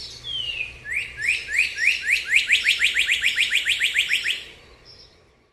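A northern cardinal gives one long falling whistle, then a quick run of about sixteen bright, upslurred notes that speed up slightly before stopping.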